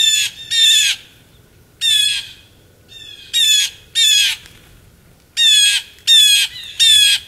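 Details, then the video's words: Feeding blue jays recorded in Maine, United States, in December 2023 call with raspy, grating squawks, some in close pairs and a run of three near the end, separated by short silences over a faint low hum. "Blue Jay feeding frenzy"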